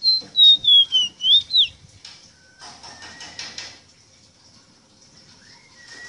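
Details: Ruddy-breasted seedeater, known locally as rosita or meriño, singing a tutor song meant to teach captive birds: a run of five bright whistled notes wavering downward, then fading into soft, faint chirps and quiet rustling.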